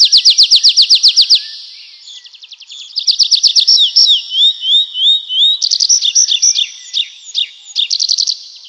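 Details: Nightingale singing a varied sequence: a fast volley of sharp repeated notes, a quieter interlude, then rising and falling whistles with scattered rapid rattles, rich and changeable throughout.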